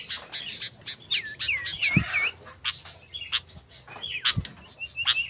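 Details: Sooty-headed bulbul song used as a lure to call wild bulbuls: bubbly, looping whistled notes rise and fall, mixed with sharp chattering clicks and two dull thumps.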